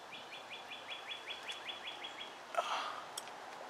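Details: Two juvenile Bald Eagles in the Ft. Hunt nest on May 23, 2015, doing well; a faint run of about a dozen thin, high chirps at a steady quick pace, then a brief louder click and a soft outdoor hiss.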